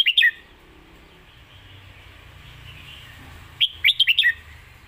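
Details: Red-whiskered bulbul lak wai master song: a short run of sharp, warbling notes opens, then a quiet pause, then a second lively phrase of about five rising and falling notes.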